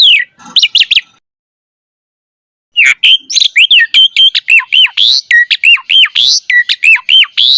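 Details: Javan pied starling in vigorous song, recorded to prompt young birds: a few quick chips, a pause of nearly two seconds, then a fast run of hooked whistles and harsh notes.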